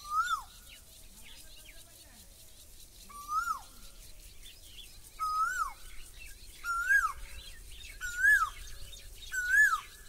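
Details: Asian koel calling repeatedly, about one whistled, upslurred note every one and a half seconds, six in all, growing louder and more insistent toward the end; faint higher chirps from other birds behind.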